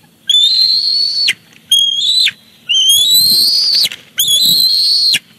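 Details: High, thin whistled calls of bald eagles at a Big Bear Lake nest, 18 July 2019, when the father brings a fish for the chick. Four long, slightly rising squeals with short pauses, and faint rustling.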